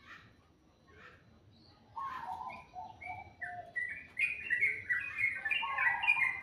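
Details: In the morning a bird starts with soft faint notes, then breaks into a louder, quickening series of varied whistles and warbles, clear and close.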